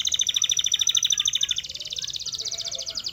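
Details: Canary singing in a training recording: one sustained rolling trill of very fast, evenly spaced pulses. It holds steady for three seconds and drops slightly in pitch partway through.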